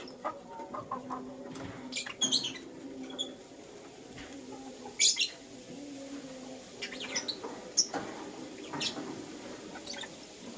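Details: Lutino lovebird chirping in the morning: sharp, high, scratchy chirps in short bursts a few seconds apart, some doubled, over a steady low hum.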